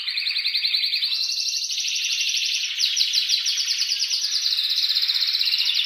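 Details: Loud, excited breeding song of a male canary for stimulating mating and nest building. Dense buzzy trills run without pause, shifting between a higher and a lower rolling tour.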